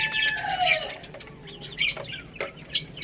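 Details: Young chicken chicks eating rice: a few clear, falling whistled peeps, the first long and sliding down, among sharp pecking and scratching clicks, with short bursts of noisy rustling.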